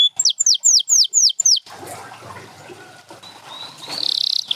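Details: Canary among champion singers including Gloster and Spanish Timbrado: a short series of bright falling whistles in the first second and a half, then faint background noise and a thin high tone.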